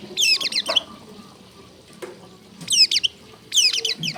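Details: Long-tailed shrike song used to tutor other shrikes: three bursts of rapid, high, sweeping notes separated by pauses, with a faint water-like background.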